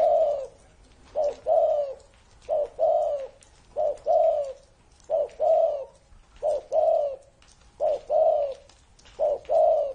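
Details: Spotted dove over thirty years old, singing a steady series of coo phrases. Each phrase is a short note followed by a longer, rounded coo, repeated at even intervals about every one and a half seconds.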